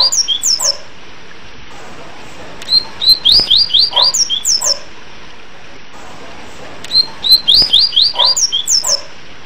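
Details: A double-collared seedeater sings the "tui-tui apito" song type: bursts of high, clear whistled notes, sliding and repeated quickly in phrases about two seconds long, with short pauses between.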